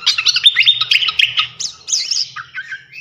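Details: Rapid, high twittering song of a flycatcher on masteran training audio meant to sharpen champion birds, many quick chirps run together, ending in a few looser whistled, up-and-down notes.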